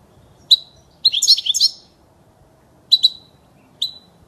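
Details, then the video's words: European goldfinch song meant for teaching young birds: sharp high chirps open into a liquid, tinkling twitter lasting about a second, followed by spaced double and single chirps. "صوت الحسون الاصلي خالي من الاخطاء لتسميع الحسون وتعليم الفراخ"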